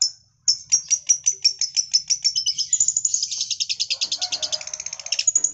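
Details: Long-tailed shrike singing in imitation of a lovebird: a rapid run of sharp, high chirps that speeds up into a dense, continuous twittering stream, with quick piercing notes stacked close together throughout.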